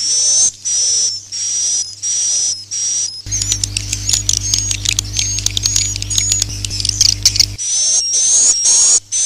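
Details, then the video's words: Lure sound meant to draw in swiftlets: regular high chirping bursts, then a stretch of crowded overlapping twitters and clicks over a low hum, before the spaced, slightly rising chirps return. "suara panggil burung walet"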